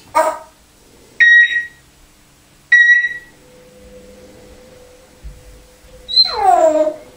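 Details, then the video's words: An African grey parrot from Devon, England, imitates a dog barking. A short harsh bark opens, two clipped beeping notes follow, then a longer falling, whining bark ends it. "Parrot barks like a dog!"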